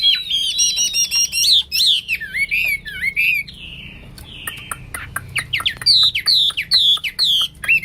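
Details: A Hwamei (wambi) pours out gacor song: fast chattering whistled notes with strong overtones, a short softer gliding passage in the middle, then a loud return of rapid rising and falling phrases.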